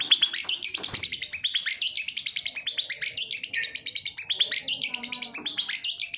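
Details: Shrike song used as a lure for silent captive long-tailed shrikes: a fast, continuous chattering stream of clipped, bright notes, rising and falling in short phrases, with a few downslurred whistles.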